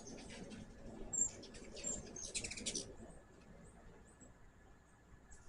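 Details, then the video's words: At a home feeder, a hummingbird gives one thin high chip, then a dense, rapid twittering chatter for about half a second, followed by quieter scattered ticks against soft low rumble. "My first hummingbird video with natural sound."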